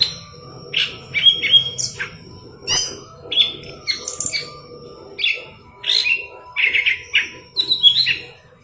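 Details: Energetic singing from a golden-fronted leafbird, a tutor recording for green leafbirds: varied chirps and slurred whistles in short phrases, separated by brief gaps, with a soft low hum throughout.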